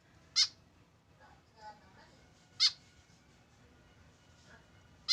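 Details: A tame white-breasted woodswallow alone without a companion sounds three loud harsh nasal calls, while faint murmuring and soft rustles fill the gaps between them.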